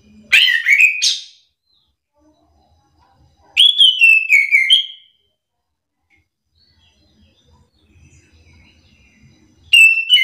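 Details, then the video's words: Orange-headed thrush in a back-and-forth singing duel used to goad other thrushes into answering: three short bursts of loud, varied whistled warbling, each about a second long and separated by silent gaps of several seconds, with faint low rumble between. "anis kembang malas bunyi langsung emosi ikut bunyi sahut sahutan"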